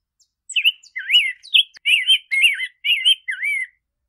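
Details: Rose-breasted grosbeak pouring out a melodious warble, around eight looping whistled notes in steady succession, with faint high ticks before it begins.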